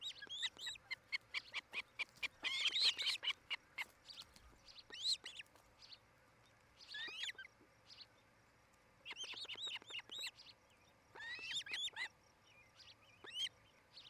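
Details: At a Charlo, Montana nest camera, an osprey pair's nest, late afternoon in 2018: bursts of sharp, high whistled chirps in uneven runs, loudest near the start and again after nine seconds, with quiet gaps between.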